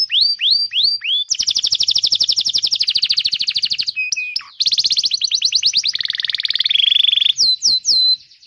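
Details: Canary song played to coax young or silent canaries into singing: a few sweeping whistles open into long fast rattling trills, a brief dipping note, then more trills and rising swoops.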